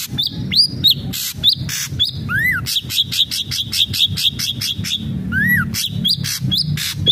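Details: Busy ashy drongo song used to coax captive birds into singing: varied arched and upslurred whistles, lower down-slurred notes, a quick run of repeated chips, and frequent harsh rasping bursts.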